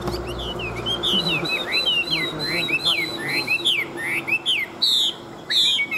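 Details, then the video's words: Rich continuous song of a wild-caught Chinese hwamei from Vietnam, kept as a singing and fighting bird: rapid looping whistles and slurs rising and falling without pause, with a few harsher high notes near the end. "Bộ To Đấu Xòe Chơi Cánh Chim Già Rừng, Bản Lĩnh Hót Tốt Đấu Tốt"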